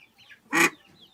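A single loud, harsh, nasal quack lasting about a fifth of a second, with faint softer bird calls and background murmur around it.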